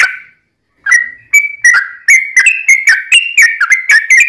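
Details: Brief burst of Yellow-vented bulbul fighting song, used as a lure so other bulbuls reply; after a half-second silence come quick chirpy whistled notes, rising slightly and tumbling over one another.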